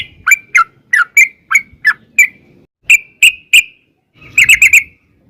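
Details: Yellow-vented bulbul long lure song: a string of sharp falling chirps, then three loud spaced notes, a pause, and a fast clustered burst of chirps over faint rumble.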